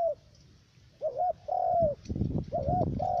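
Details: Trapping decoy spotted dove in U Minh, Khánh Hòa commune, Cà Mau: soft wavering coo followed by a long level-then-falling coo, with rustling and knocking noises underneath the later calls.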